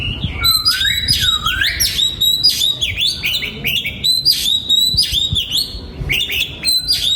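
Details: Oriental magpie-robin singing in a free-flight breeding aviary in Vietnam, 2022: a loud continuous run of rich whistles, swooping slurs and sharp chips, with a low dipping phrase early on.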